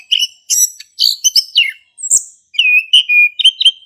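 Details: Male orange-headed thrush singing lively in the ngeplong style, used as a lure to prompt silent thrushes to sing: bright varied whistled phrases, some descending, with clear slurred notes near the end, in short bursts separated by brief pauses.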